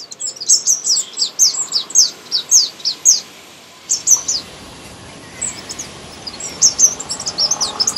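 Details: Sunbird singing in a garden in India: a run of high, thin, downslurred notes repeated roughly twice a second, a pause, then scattered high chips and twitters over faint background hiss.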